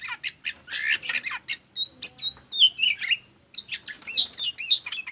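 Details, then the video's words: Oriental magpie-robin, called kacer, singing in ngobra fashion as a lure for other songbirds: harsh buzzy notes giving way to looping high whistles and fast varied chirps, with one brief gap. "SUARA PANCINGAN BURUNG Kacer Ngobra Panas Dingin Gacor"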